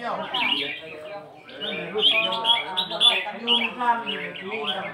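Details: Red-whiskered bulbul singing the phrase-counting style: short, lively, whistled and warbled phrases that rise and fall, loudest in the second half. Music and lower voices run underneath.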